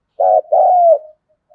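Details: A single phrase from a decoy spotted dove singing in the thunder-voice style: a short vibrating note followed by a longer, level then dropping coo, ending in a faint soft tail.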